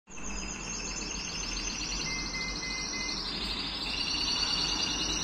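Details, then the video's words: A male Timbrado canary sings a fast, rolling trill of high notes, with a pure held whistle midway and a shift to a lower tour near the end. "Τιμπράντο Καναρίνια"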